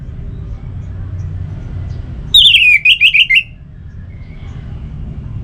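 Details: Orange-headed thrush song for stimulating kept birds to sing: one fast burst of five or six looping, high whistled notes lasting about a second, set against a low background rumble.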